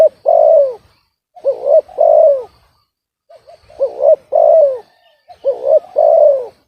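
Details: Hobby-kept spotted dove with a reportedly off-key voice, cooing in a steady phrase: quick looping double note and a long, sliding-down coo, the phrase heard about four times in a row.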